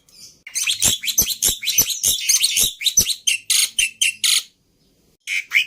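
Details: Black-winged starling song played to lure and tutor other birds, full of varied imitable phrases: a rapid series of harsh scratchy notes with sharp clicks, ending in a pause and two final squeaks.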